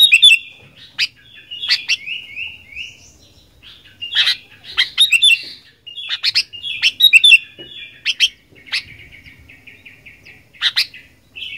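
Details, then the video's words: Sooty-headed bulbul in fighter style: sharp chirps mixed with rapid, stuttering trills of short descending notes and scattered squeaky phrases, with gaps between bursts. "Kicauan Kutilang Gacor Fighter"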